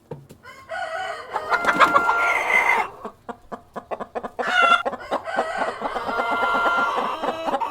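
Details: Cockerel and hens in a farm setting, clucking and cackling in dense overlapping bursts, with a few drawn-out tonal calls and some rustling or flapping.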